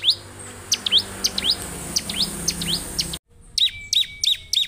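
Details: Gacor song of a bar-winged prinia: quick bright downward-sweeping notes in an uneven run, a brief silence, then a denser burst of piercing chips joined by a flat thin whistle.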